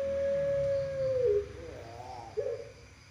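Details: Puter pelung collared dove of a national-champion line, long-voiced song used as a master or lure for other doves: one long, steady, mellow coo over a second, sliding down, then a softer rising coo and brief final note, quiet room.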